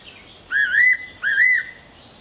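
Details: Two clear, slurred whistles from a Fairy pitta, each rising and wobbling before fading, delivered about three-quarters of a second apart. Nothing else is audible beyond low background hiss.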